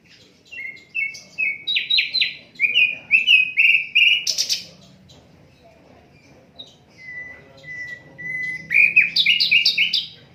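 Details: Asian brown flycatcher song in an unedited recording meant for tutoring other songbirds: runs of short sweet chirps with repeated rising notes, then a pause, a long flat whistle and a quick final burst of high chirps.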